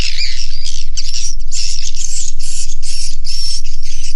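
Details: Original sound recorded inside a swiftlet house: swiftlets giving short buzzy twittering bursts, about four each second in a steady pulsing rhythm, over a constant low droning hum.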